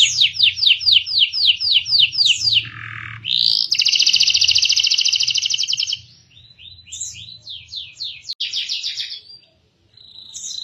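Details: Canary singing as a tutor for young birds learning song: repeated sweeping notes, a lower slur, a long rapid buzzy roll, then varied whistled trills and phrases, with faint low hum beneath.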